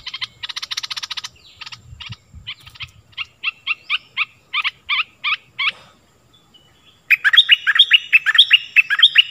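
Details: Stripe-throated bulbul song recording, played to train young birds and lure wild ones: rapid bursts of bright chirpy notes, then a series of separate short phrases, and a dense, loud run of repeated notes at the end.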